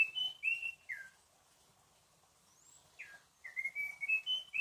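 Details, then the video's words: Endemic Munchique wood wren at Alto La Eme, Colombia, giving its melodious song: clear whistled notes with a falling slur, a silent gap, then a fresh run of level and slightly rising whistles. "Espectacular melodía del Cucarachero de Munchique."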